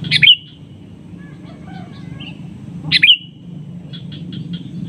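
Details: Lure call of a sooty-headed bulbul challenging a rival that calls back: two loud, sharp notes with falling tails about three seconds apart, faint chips between and after, a low hum beneath.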